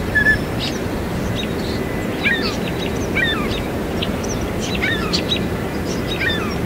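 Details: Northern mockingbird mimicking other birds in its song; a varied run of chirps, downslurred notes and trills repeated in short bursts, with constant low traffic-like noise.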